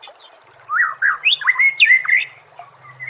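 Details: White-rumped shama training song, murai batu masteran: a short run of clear whistled slurs, some rising steeply, others bending down, linked in a quick fluid phrase over a faint low hum.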